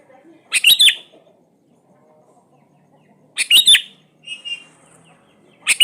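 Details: Sooty-headed bulbul, a lure recording to set lazy bulbuls singing: two brief bubbly whistled phrases about three seconds apart, each a quick chuckling slur, with a softer whistle after the second and near silence between.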